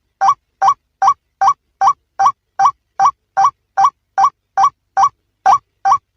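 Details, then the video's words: A male white-breasted waterhen gives its hunting call: a loud, croaking note with an upward kink, repeated evenly about fifteen times in six seconds, with no other sounds. "The Male Breasted Water Hen sound Hunting Call"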